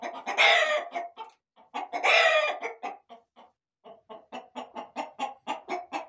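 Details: In a corral, roosters and hens give two loud, rough squawks early on, followed by a long series of quick, evenly repeated clucks.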